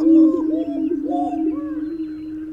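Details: A great steppe grouse gives a low, steady hooting drone, with wavering, bubbling inflections rising and falling about every half second; no other sounds stand out.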